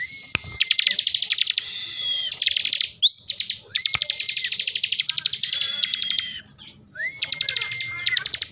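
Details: A ciblek, or bar-winged prinia, kept in Slawi, Tegal, Central Java, delivers ngebren song: dense buzzing trills broken by sharp rhythmic ticks and upswept whistles, repeated in bursts of about one to two seconds.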